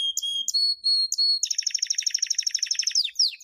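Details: Canary champion song meant to teach young birds, 2016. Several sharp high whistles and a held tone lead into a dense rapid trill that ends with downward-sweeping slurs.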